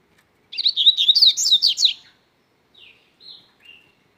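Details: Double-collared seedeater in strong song: a rapid, high-pitched warbled phrase of about one and a half seconds, then three soft, short descending notes spaced apart.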